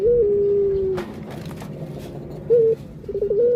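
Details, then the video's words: A Barbary dove ends a long level coo that sinks slightly, falls silent, then gives a brief higher note and begins a wavering new coo. "Burung Puter"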